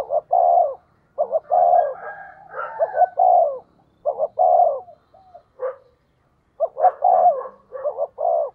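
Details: Spotted dove decoy cooing fast to attract wild doves: repeated double-hoot-and-long-coo phrases with brief sharp higher notes and overlapping softer coos midway, then a pause before cooing resumes.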